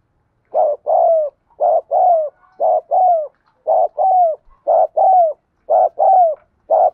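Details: Spotted dove cooing, a recording used to train the voice of newly caught birds and to lure others: repeated low, mellow two-part coos, each phrase slightly falling, returning about once a second against a quiet background.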